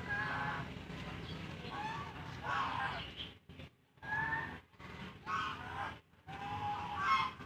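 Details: Geese honking in overlapping bursts, nasal harmonic honks rising and falling, separated by short gaps, over a rough broadband background rumble.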